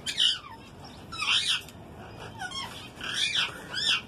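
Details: Semi-tame female cinnamon ringneck parakeet, about three years old, kept in Karachi: harsh screechy rising and falling squawks in four loud bursts, with a steady background hum.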